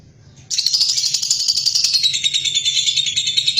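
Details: Household lovebird: after half a second of quiet, a continuous rapid buzzy chatter starts at high pitch and slowly drifts lower, dense and unbroken to the end.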